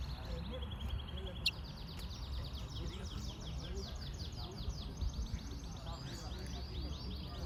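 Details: Yellow-fronted canary singing a long, fast series of repeated buzzy, high trilled notes that sweep downward, continuing steadily over a constant low rumble of background noise.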